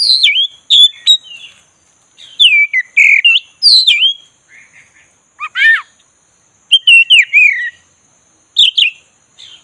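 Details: Black-breasted Oriental magpie-robin provoked into song: rapid falling whistles and sharp clicks in bursts, a harsh rasping note in the middle, then further sweet looping phrases separated by brief pauses.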